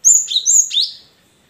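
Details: Caged cinereous tit singing, played to prompt other caged birds to sing: a quick run of high whistled notes, clear and sharp, with a downward slurred ending around the middle, then fading out in silence.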